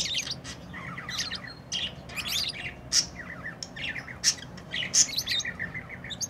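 Lovebirds chatter in quick, shrill chirps and squeaky twitters, several birds overlapping with sharp high notes every second or so; a faint low hum runs underneath.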